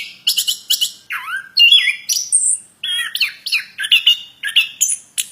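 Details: Plontang bird in full song, mixing harsh squawky notes, a deep swooping whistle and quick high chirps in a fast, irregular sequence.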